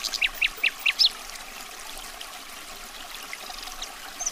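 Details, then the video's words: Common nightingale opens with a quick run of five sharp, high repeated notes in about a second, followed by faint, scattered notes over a soft background hiss. "Nightingale's Enchanting Song"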